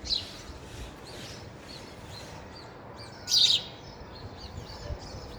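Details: Sparrows eating at a feeder, giving a string of short high chirps about every half second, then a louder chirp burst near the end, over steady low background noise.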